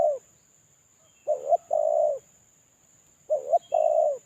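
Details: Lure call of a moulting spotted dove calling alone: the tail of one coo, then two full phrases, each a short rising-falling note followed by a longer steady coo, with a faint high whine throughout.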